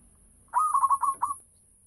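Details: A single brief burst of rapid, slightly trilled coos from a local zebra dove singing eagerly to draw in other doves.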